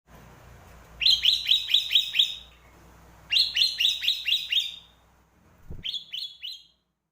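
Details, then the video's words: Sooty-headed bulbul song used as a lure: bright, clear notes in rapid bursts of five or six, with a shorter three-note burst at the end, over a faint low hum. "Suara Kicau Pikat Burung Kutilang"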